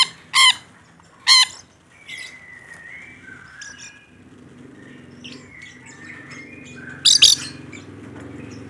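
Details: A rainbow lorikeet, said to be calling vigorously, lets out two sharp grating screeches, then soft chattering notes and thin whistles, ending with a louder doubled screech.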